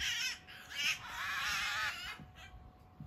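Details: Eurasian magpie in a backyard under attack from a Eurasian sparrowhawk, recorded about three meters away: harsh, noisy, buzzy calls in a continuous rasping burst lasting about two seconds, then fading to quieter scratchy sounds.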